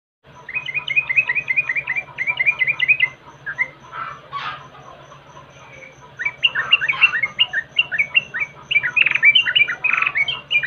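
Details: Yellow-vented bulbul lure sound used to make birds sing: fast bubbly runs of short rising and falling chirps, a pause with a brief harsh burst near the middle, then another lively chattering run, over a steady low hum.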